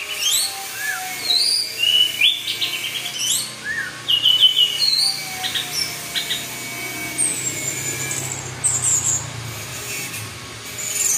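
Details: Gacor teler song of an orange-headed thrush: a long, varied string of short whistled notes, some rising, some falling, with a few lower slurred notes and a longer descending whistle near the end.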